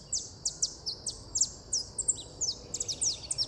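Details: Saffron finch (Sicalis flaveola) song: a bright, high chatter of sharp sweeping chips, about three notes a second, in an uneven flowing stream over faint background hiss.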